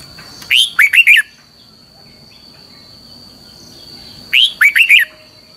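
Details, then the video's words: Decoy song of a red-whiskered bulbul in the long double twisting style, giọng kép xoắn dài. Two identical loud phrases are separated by about three seconds of near silence. Each has four sharp looping whistled notes. A steady high hum continues. "luyện giọng cho chào mào hót hay - Giọng kép xoắn dài"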